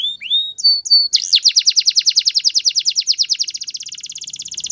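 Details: Canary song beginning with upslurred whistles, then a long fast trill of repeated notes that speeds up and rises slightly into a dense high rattle.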